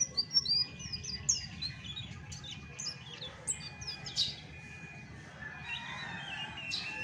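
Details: Chestnut-backed thrush singing its natural song without tutor birds: a lively stream of high, sharp chirps and downslurred whistles for several seconds, then quieter scattered notes over steady low background noise.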